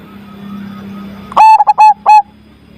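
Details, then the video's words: After a quiet stretch of faint hum and a distant thin whistle, a zebra dove with a powerful voice bursts into a short phrase of quick staccato coos ending in two longer level notes. "PERKUTUT AMPUH ATASI PERKUTUT MACET SUARA BESAR"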